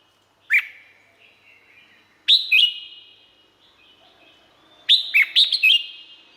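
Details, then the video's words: Red-whiskered bulbul song from Thailand. Three phrases about two seconds apart: one slurred whistled note, then a two-note phrase, then a rapid burst of five bright notes. Each phrase is followed by a ringing echo. "เสียงนกกรงหัวจุก สำหรับต่อ หรือ เปิดให้นกคึก เสียงเพราะๆ"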